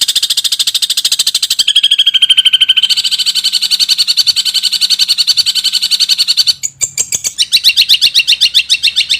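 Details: Long-tailed shrike training song in a full fill-in style: a long rapid pulsing trill over a steady low hum, broken near the end by a pause, then harsher high notes.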